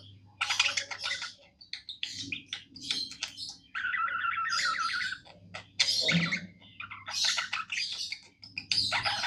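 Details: Pet budgie singing indoors, bursts of scratchy chattering chirps alternating with a buzzy rattling phrase, loud clicks and short pauses, over a low background hum.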